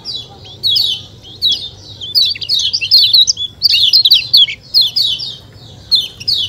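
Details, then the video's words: Song of a white-eye used to make birds sing readily: a continuous stream of high, rapid chirps and warbled trills, busiest in the middle, then easing into spaced descending phrases over a low hum. "ciak ciak jos kecial kuning suara alam"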